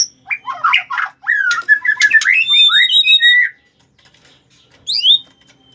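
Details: White-rumped shama challenging to fight: scratchy notes lead into a run of whistled slides and warbles, then a pause and a final pair of high, falling whistles.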